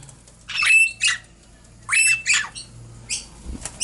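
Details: Princess parrot chicks, caged, December 17, 2017: paired harsh squawks, each a grating burst with a thin whistled line, then a shorter follow-up rasp, repeated after about a second of quiet.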